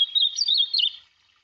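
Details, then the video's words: Free-living ultramarine grosbeak (azulão) sings a brief, rich warbling phrase of quick slurred notes, rising and falling, lasting about a second before falling silent. "AZULÃO CANTANDO"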